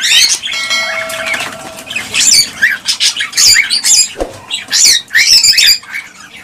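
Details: Cockatiel sounds played to encourage pairing and breeding: a steady tonal note opens, then sharp rising chirps and squawky whistles overlap in an irregular, busy chatter.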